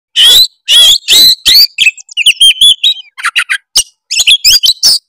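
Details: Oriental magpie-robin of the tretes type, its song used as a lure to provoke rival birds into singing: loud, varied phrases of sweet whistles mixed with harsh buzzy notes and rapid chattering trills, packed with borrowed phrases, bursting out in quick succession.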